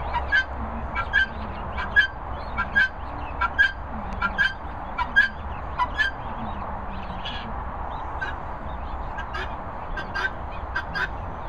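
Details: Helmeted guineafowl keets (chicks) giving short, sharp peeping calls repeated roughly once a second, some in quick pairs, over a steady low rumbling background noise.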